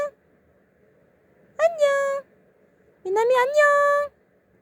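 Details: A 14-month-old male conure kept as a pet speaks Korean greetings, annyeong and annyeonghaseyo: two drawn-out harmonic utterances, the second rising and then holding steady, in a quiet indoor setting.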